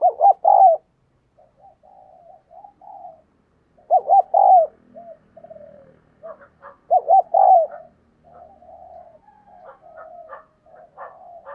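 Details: Decoy spotted dove giving urging coos to encourage other birds to call. Loud triple-note coo phrases recur about every three seconds. Quieter soft cooing and faint clicks fill the spaces between them.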